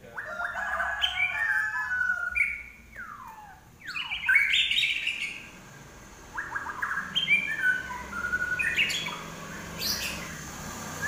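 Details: Common iora singing vigorously in lively bursts of chirps and falling whistled slurs, with a quieter spell in the middle before another run of rapid notes.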